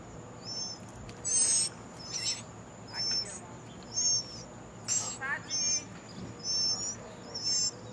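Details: A brown thrasher mother feeds her nestlings in the nest; the young give high, thin, wavering begging notes in short bursts about every second over a steady, high insect-like whine.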